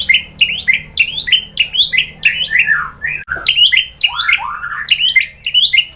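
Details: White-rumped shama song for provoking singing: steady run of loud, rapid upswept and downslurred whistled notes repeated about twice per second, harsh-edged and continuous.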